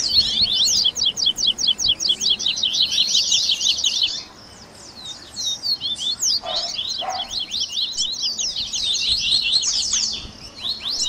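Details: Double-collared seedeater song played to warm up and encourage a captive bird to sing: fast, high chattering trills of sharp down-slurred notes in dense overlapping runs, a short pause near four seconds, then more bursts with a few lower notes.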